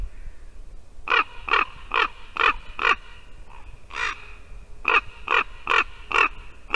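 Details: Rhythmic rasping raven croaks delivered in two fast runs separated by a short pause, at a Latvian white-tailed eagle nest on a December 2019 morning where one raven sounded like a rusty hinge and the eagle drove one away with her wings.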